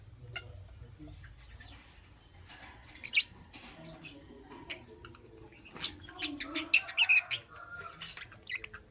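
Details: Lovebird heard in the morning, a single sharp chirp early, then a busier run of high, squeaky chirps and twitters toward the end, with light rustling between.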